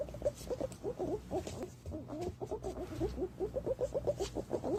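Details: Green pigeon calls for luring green pigeons: a dense, quick chatter of short looping whistled notes, rising and falling, in an almost continuous stream.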